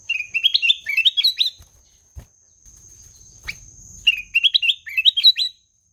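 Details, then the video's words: Melodious song of a ruby-throated bulbul (kutilang emas): two lively phrases of quick, clear whistled notes that hop upward in steps, separated by a two-second pause with a soft knock and low rumble. "SUARA MERDU KUTILANG EMAS"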